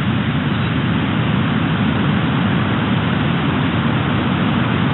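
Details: Loud, even rumble of broadband noise, like a passing vehicle or aircraft, constant throughout.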